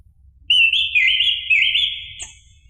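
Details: Orange-headed thrush singing, played to stir a caged bird into song: a sustained, fluid whistled phrase with quick rising flicks every half second, ending in a high thin note.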